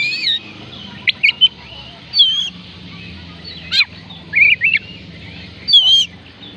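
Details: Oriental magpie-robin (kacer) song, played to coax reluctant birds into singing: short, varied whistled phrases with slurred, warbling notes and sharp upsweeps, delivered in bursts roughly every one to two seconds, with quiet pauses and a faint low background hum.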